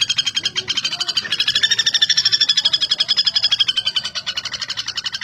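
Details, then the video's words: Common flameback, known locally as pelatuk bawang or pelatuk besi, kept as a tutor bird for songbird contests, giving a continuous fast dry rattle of sharp high notes, about ten per second, steady for over five seconds. "Pelatuk Bawang Gacor (Pelatuk Besi)"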